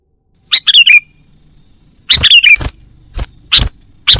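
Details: Sooty-headed bulbul lure call used to attract wild birds for trapping: bursts of sharp high chips and two quick chattering phrases that fall in pitch, with a faint steady high hum behind.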